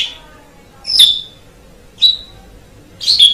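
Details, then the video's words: Asian pied starling recorded for masteran use: three short sharp whistled chirps, spaced about one second apart, against a faint background hum. "MASTERAN JALAK SUREN MEMANG SANGAT BAGUS SUARA KICAUNYA"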